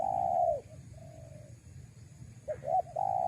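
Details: Spotted dove, recorded as a lure for wild doves, ends one long coo, adds a quiet drawn-out note, then gives two quick hooked notes and starts a new sustained coo, with low background rumble.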